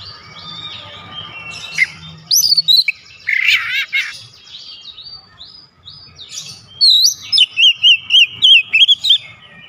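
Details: White-rumped shama (kacer) song: soft warbling and a harsh buzzy burst, then a fast series of repeated bright wavy whistles near the end.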